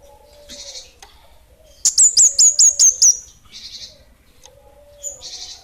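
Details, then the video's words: Kemade of the small "bunga api" type singing energetically: a quick run of seven sharp, very high whistled notes, each slurring downward, with buzzy high notes and a low steady hum before and after. "Kemade Bunga Api Kecil'' Suara Gacor!!!"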